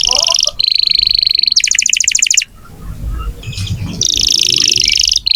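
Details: Lively canary song used to coax young or silent canaries into singing: fast, high, buzzy trills in distinct phrases, with a sharp repeated-note roll, a short break with low rumbling background noise, then a long bright trill resuming.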